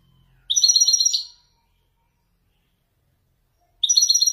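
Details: Male European goldfinch of Ouedani song style performing authentic Marrakchi descending phrases: two short bursts of bright, rapid, tinkling twitter, the second starting after about three seconds of silence, with no other sounds.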